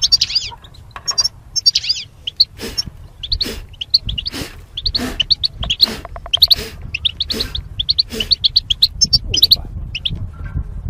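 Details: Goldfinch mating pairs in cages behind wire barriers, during singing training: sharp high chirps and twitters mixed with frequent loud clicking knocks, over a quiet low hum.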